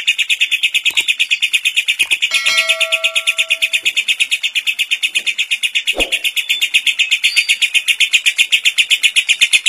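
Lovebird song: a fast, steady stream of shrill, high chirps, nearly three per second, with a brief low whistle and a dull knock in the background.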